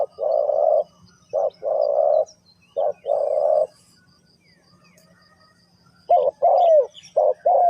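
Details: Spotted dove in Ninh Thuận, Vietnam, three-coo hanging style: three phrases of short coo plus long coo, a pause of about two seconds, then a quicker run of bending coos.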